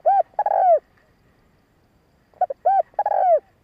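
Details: Spotted dove call to excite males: an arched note and long coo, a pause, then stuttered notes, an arched note and a long falling coo.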